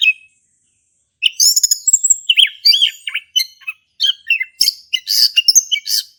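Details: Male orange-headed thrush, a caged bird in Indonesia singing in the ngeplong style, used to prompt other thrushes to sing: a rapid, varied run of sharp chirps, whistles and slurred notes after a short pause, dense and high-pitched.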